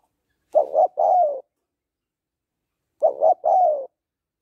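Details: Two cooing phrases from a female spotted dove calling a male; each has two brief hollow notes and a longer falling coo, two and a half seconds apart, nothing else audible.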